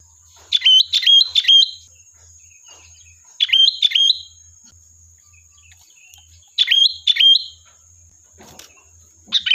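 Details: Rapid sooty-headed bulbul song used as a lure, bursts of two or three quick chirpy whistled phrases in a row, pausing between bursts, a brief click near the end, over a constant high hum.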